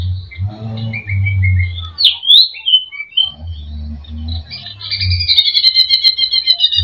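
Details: Greater green leafbird full of imitated phrases, played to provoke a bird's emotion: sliding whistles and sharp chips over repeated low humming rumbles, ending in a fast high rattling trill.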